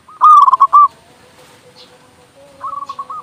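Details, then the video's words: Local zebra dove in full voice, a recording to prompt doves to sing. A loud quick-fire coo phrase, a pause with a faint steady tone behind, then a softer answering string of coos. "Perkutut lokal gacor suara besar Masteran burung perkutut agar cepat bunyi"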